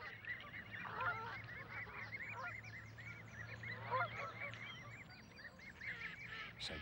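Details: Canada geese in a London park, introduced from North America and treated as a pest; a flock gives many overlapping nasal honks in a busy, continuous chorus, with a low hum underneath.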